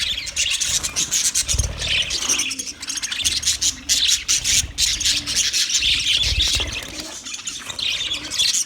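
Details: Many budgerigars on 29 February 2024 keep up a constant high-pitched twittering of scratchy chirps, short squawks and warbled notes, with faint low bumps beneath.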